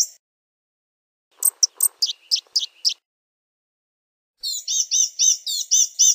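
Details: Blue-gray gnatcatcher song: a quick burst of high, sharp chips with faint low rustling beneath, a pause, then a fast, evenly spaced series of squeaky, warbled notes.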